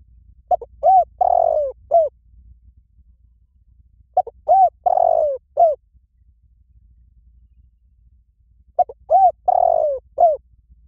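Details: Repeated cooing phrases of a spotted dove, played as a lure for trapping birds; each phrase of short notes around one drawn-out falling coo recurs about every four seconds over a quiet low hum.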